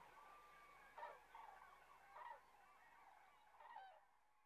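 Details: Resting common cranes south of Kastlösa, September 2013, heard as a faint flock with a few thin trumpeting notes rising above a soft background chorus of calls.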